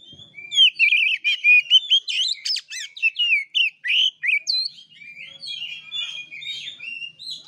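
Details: Fighting-style singing by an oriental magpie-robin kept for song: fast jumble of sharp clicks, chevron notes and whistled slurs in short bursts, then softer scattered warbles trailing off.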